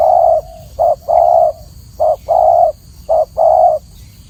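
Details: Spotted dove coos ring out clearly: three phrases, each a short note followed by a longer steady hollow coo, spaced about a second apart, with quiet hiss in the background.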